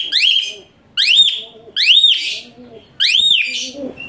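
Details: Asian pied starling song recorded for training other birds: four loud, shrill upswept whistles spaced about a second apart, while a lower soft cooing from another bird sounds between them.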